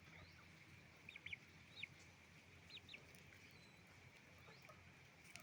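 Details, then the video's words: Chicken farm with roosters and hens calling: a few quick paired high chirps in the first half, then mostly quiet, with a constant low mechanical hum throughout. "Moment of the sound of a chicken farm, roosters and hens making noise"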